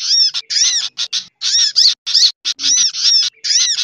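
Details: Combined lure sound for sunbirds mixed with kutilang and similar birds; loud, rapid run of ringing, down-curved chirps in quick succession with only tiny breaks.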